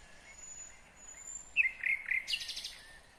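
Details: Kyrgyzstan nightingale in song, 2020: faint high thin whistles, then a burst of loud sharp notes and a fast, throaty rattling trill of repeated pulses fading away.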